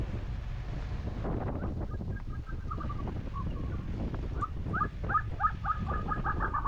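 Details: Snow-bathing Tibetan snowcock in Ladakh: a scattered, soft clucking run sits under steady wind noise, then a clear, evenly paced string of sharp cackling notes closes the clip.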